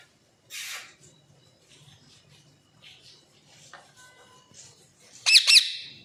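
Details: Household pet parrots, two talking clearly and two still learning; a quiet room with a brief rushing sound and faint chatter, ending in a loud, harsh, high double squawk.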